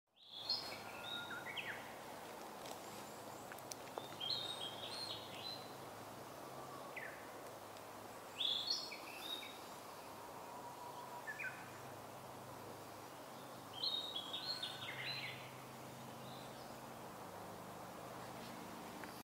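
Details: A Narcissus Flycatcher sings in the morning among dense branches, with others singing all around, giving short, bright whistled phrases repeated every few seconds over a steady background hiss.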